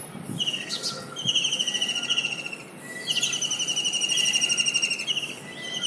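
A kingfisher gives two long, shrill trilling calls, each lasting about two seconds, high and fast-pulsed with a steady pitch. Nothing else stands out.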